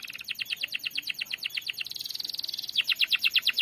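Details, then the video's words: Softer canary ngerol roll used to stir a non-singing canary: continuous fast rattling trills of repeated notes, a brief smooth tone, then louder rapid pulses. "Pancingan kenari macet bunyi ngerol panjang"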